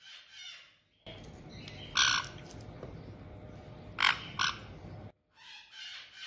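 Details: White-bellied caiques kept indoors in Tokchi, Hokkaido, Japan, an established pair greeting a newly arrived chick just over two months old; harsh broadband squawks burst twice near two seconds and twice near four seconds over steady background hiss.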